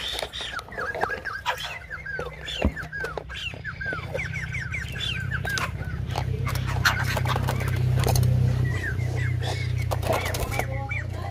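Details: Silver-headed babbler song likened to a rumba dancer; rapid series of downslurred, whistled notes repeated several times per second in the first half, then scattered calls over rising low rumbling background noise.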